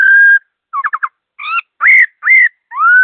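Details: Laughingthrush singing fast with clear notes: clean whistled phrases, some held and level, others sharply rising or falling, with a short burst of three quick trilled notes near the start. Silent pauses separate the phrases, and there is no background noise.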